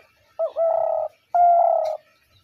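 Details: Spotted dove giving a call described as the hunter's dove call: two low, hollow coos, each a short lead-in note followed by a long, steady, slightly falling hum, separated by a brief pause in quiet surroundings.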